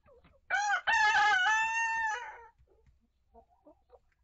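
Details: Chicken in a coop and run holding a mixed flock: one-year-old Rhode Island Red, Barred Plymouth Rock and Light Brahma hens with young Ameraucana, Olive Egger, Maran, Leghorn and Penedesenca chicks; one loud harsh crow, rising then sustained, about two seconds, then soft clucks.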